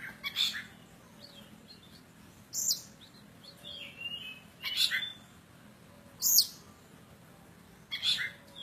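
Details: Kacer poci from Java, an oriental magpie-robin singing hard: loud rasping bursts about every one and a half seconds, separated by soft short whistled phrases.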